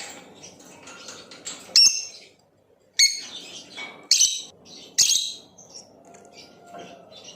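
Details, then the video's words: Lovebird of the Blue Opaline variety chirping, sharp piercing chirps coming roughly once a second in an irregular series, with softer faint twittering and a low background hum between them. "Play this video and make your LOVEBIRD chirp and sing | Lovebird chirping sounds - Blue Opaline"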